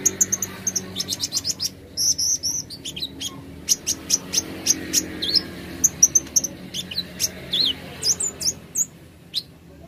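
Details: Plain flowerpecker (kolibri ninja) giving a long run of sharp, very high ticks and thin chirps, mixed with brief squeaky upslurs and twittering notes, spaced irregularly several times a second over a low steady hum.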